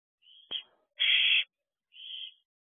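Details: Owlets in a nest box after midnight on 21 June 2023 give a thin wheezy hiss, a sharp click, a loud harsh half-second screech, then a softer breathy hiss.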